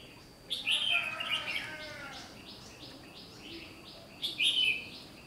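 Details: Red-whiskered bulbul being trapped, a training bird for song contests, 1 July 2020; a rich warbled phrase with fluttering notes, then a run of short repeated chirps, and a second bright whistled burst near the end.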